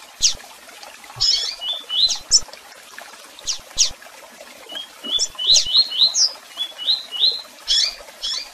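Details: Double-collared seedeater, tui-tui song mixed with chirps and calls: sharp high chips alternating with runs of short rising whistles, growing busier toward the end.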